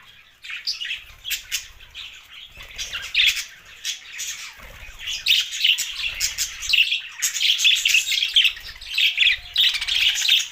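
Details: Budgerigars chattering: a steady stream of raspy warbled chirps and squawky notes, growing denser toward the end, with faint low rumbles in the background.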